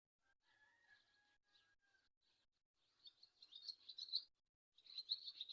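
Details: A steady lower whistled tone runs beneath faint chips at first, then a swallow breaks into lively high twittering warbles in two bursts.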